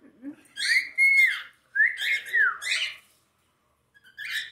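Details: Cockatiel showing jealousy while interacting with its mother, kept as a pet: loud whistled calls with a pure sliding tone inside harsh screechy bursts, several phrases in a row, then a brief chirp after a silence.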